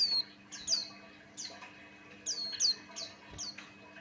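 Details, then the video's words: Male Buxtoni white-eye song meant as a lure; thin, high-pitched descending whistles, several loud and bright, delivered in an irregular sequence over a soft background hum. "Suara Burung pleci Buxtoni pancingan Ampuh"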